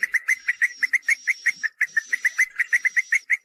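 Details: Swiftlet lure call for a nest house, in the seruling sakti style: a fast, even series of sharp chirps, about three a second, under long, thin, high-pitched whistles that come and go.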